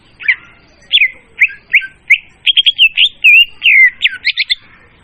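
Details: Leafbird lure call for bird trapping, loud and clear: a lively sequence of chirps, quick trilled notes and drawn-out slurred whistles, ending in fast twitters.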